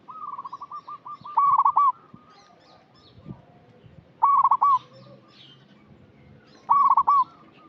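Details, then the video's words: Zebra dove of a local strain in full voice, used to draw out untrained birds: a soft run of short coos leads into three loud, rapid, bubbling trills spaced about three seconds apart in a quiet background. "Perkutut lokal gacor suara cocok untuk pancingan yang masih bahan"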